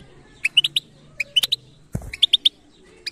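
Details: A European goldfinch with sparse batbata phrases of three to four bright chirps separated by gaps, plus a single dull knock midway through.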